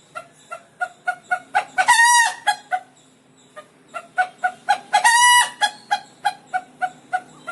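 A frightened rooster gives quick, sharp clucks, about three a second, twice breaking into a long, loud, rising squawk before the clucking resumes.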